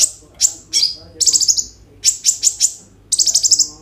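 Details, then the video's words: Energetic kolibri ninja sunbird singing with roll fills, used to spur other sunbirds to sing: loud high chirps followed by three rapid rattling bursts of repeated notes, each about half a second long. "KOLIBRI NINJA GACOR FULL ISIAN ROLL TEMBAK, COCOK UNTUK PANCINGAN KONIN BAHAN BIAR BUNYI"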